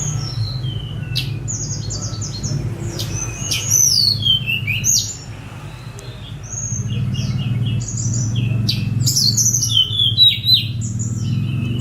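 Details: Sunda robin (tledekan gunung), released bird, delivering rapid bursts of high chirpy, clipped notes with brief pauses, recorded by phone against a steady low rumbling background.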